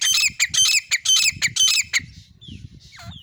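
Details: Female grey francolin recorded on an iPhone, giving loud, harsh, rasping calls in a fast rhythmic series of about two per second, followed by softer whistled slurs and a faint low rumble.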